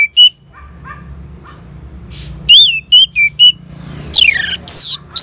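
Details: An Orange-headed thrush responds to a lure with a few clear whistles, then broad sweeping high notes near the end, over faint low background noise.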